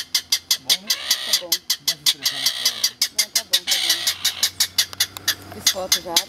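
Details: Clapper rail at Peruíbe, Brazil, on 13 July, answering a guide's call; a fast run of harsh, dry clattering notes, roughly three a second, continuing throughout with brief soft human voices.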